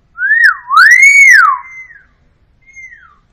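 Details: Loud, pure whistled phrase from a hill myna, swooping up and down in smooth waves and ending with a brief softer falling note after a short pause, in otherwise quiet surroundings.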